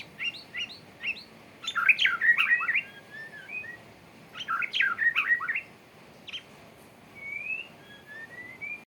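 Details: A courting male white-rumped shama delivers two dense bursts of rapid, varied chirps and slurred notes, then drawn-out rising whistles, with quiet gaps between phrases.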